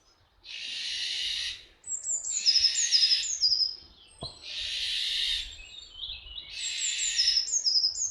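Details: Eurasian jay of the Iberian subspecies Garrulus glandarius fasciatus, visiting at Camorritos, Cercedilla, 60 km from Madrid, Spain. Three harsh, noisy, rasping screeches, each about a second long, with thin high whistled chirps of other birds between and over them.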